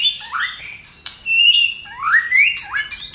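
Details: White-rumped shama singing fiercely with tail flicking, a provoking song: harsh buzzy notes, a sharp click, then a steady whistled note and two loud rising slurred whistles, quiet background.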